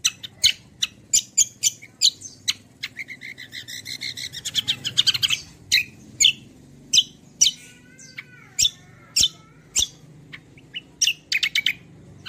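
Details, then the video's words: Kecial kombo singing energetically as a model for other songbirds: a long series of sharp, high chirps, a dense buzzy burst midway, then evenly spaced single notes and short twitters. "BURUNG KECIAL KOMBO CUCAK KOMBO ROLL TEMBAK GACOR || UNTUK PANCINGAN BUNYI BURUNG BAHAN MANTAP"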